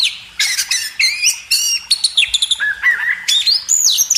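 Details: Caged magpie robin used as a training recording for cage birds: loud varied song of clear whistled notes, rising and falling slurs and sharp chirps in quick succession, high-pitched throughout.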